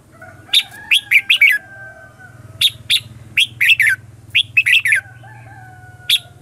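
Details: Lure red-whiskered bulbul singing a fighting-style song to attract wild bulbuls: quick strings of clipped, bright chirps in groups of two to four, repeated every second or so, with a soft steady tone and low hum underneath.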